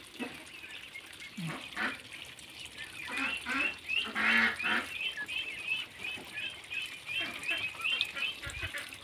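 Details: Ducks offered for sale, with a steady run of short, high, repeated peeping notes, a few each second, under people talking in Filipino.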